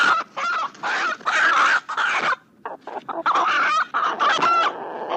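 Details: Roosters of various breeds calling at dawn in the countryside: dense, overlapping harsh squawking and clucking bursts with rough crowing phrases, nearly continuous over five seconds with a short quieter break midway.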